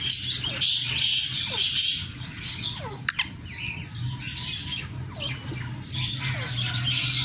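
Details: Black francolin (kala teetar) calling: harsh, grating, broadband bursts come in groups, with small falling whistled notes repeated in between and a steady low hum in the background.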